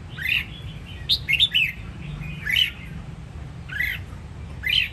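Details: Sông Kon red-whiskered bulbul from Đông Giang, Vietnam, delivering bright whistled notes, a rapid triple-note cluster early on, then single arched notes about every second, over low constant hum.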